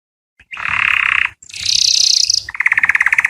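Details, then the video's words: Canary song meant to excite females for mating, with a dense buzzy roll, a higher sustained rattle, then a slower, evenly pulsed trill. "The strongest canary twitter to hear and irritate females to mate"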